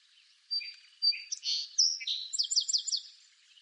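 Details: Song sparrow song from eastern North America: two sharp whistled opening notes, a buzzy rich middle phrase, then a fast trill of about six repeated bright notes, crisp against quiet background.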